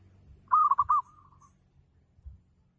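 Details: A single bubbling coo phrase from a local zebra dove in ngayer lure style, meant to trigger other doves into singing: four or five fast rolling notes trailing into a soft, level tail, then quiet with light background thumps.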